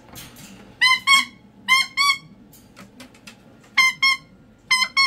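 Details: Pet cockatoo indoors letting loose, sharp harmonic squawks in quick pairs, loud bursts separated by short quiet gaps with faint clicks between.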